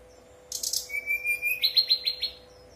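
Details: Brown-chested jungle flycatcher singing in 'nyuling' style to prompt other birds: a rapid buzzy high trill, a long level whistle, then about six evenly spaced rising-and-falling whistled notes, with a faint constant hum.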